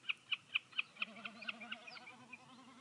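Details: Common snipe giving a series of sharp, high clicking notes that start loud and quick, then fade and slow, over a low wavering hum.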